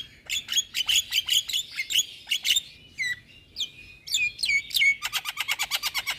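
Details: Javan myna in full song to lure and train moulting mynas: crisp high chattering notes in quick series, downward whistled slurs, and a closing rapid rattle of clipped notes.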